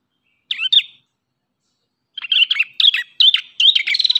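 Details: Two sharp doubled chips, then a fast, chattering series of high, rattling notes, about two and a half per second, from an Ashy tailorbird (prenjak kepala merah).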